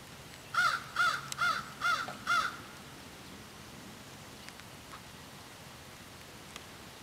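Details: Crows in a lively exchange deliver a quick run of five harsh, evenly spaced caws within two seconds, then fall silent, leaving faint background noise and a few soft distant ticks.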